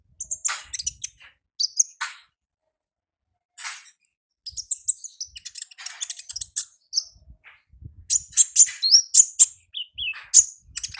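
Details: Olive-backed sunbird in the wild delivering a long ngalas song, busy with fast high twitters, sharp chips and buzzy bursts, building into a dense, rapid chattering sequence.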